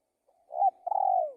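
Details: Spotted dove giving a single phrase: a rising mellow coo followed by a longer vibrating coo that drops at the end, in a quiet setting.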